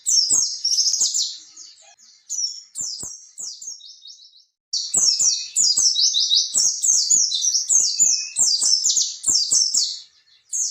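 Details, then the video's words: Oriental white-eye song played to stir young captive birds into singing: long runs of very high, thin, rapidly descending twittering notes, nearly continuous, with faint clicks in the background. "pleci gacor ngalas ngerol ampuh buat terapi burung pleci bakalan"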